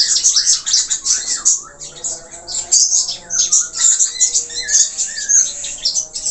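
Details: Australian parakeet (budgerigar) in a long, rich warbling song, scratchy chattering mixed with looping whistled glides that rise and dip, delivered nonstop with only brief pauses.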